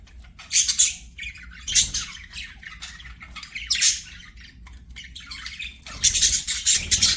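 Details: Budgerigars singing while playing: loud bursts of harsh, buzzy squawking about once a second, separated by quieter chattering warbles, ending in a dense noisy flurry.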